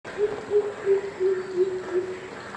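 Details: A greater coucal, recorded in March 2017 at Birati, Kolkata, gives a run of six deep, hollow hoots, one every third of a second, holding a low pitch that sinks slightly, over faint background hiss.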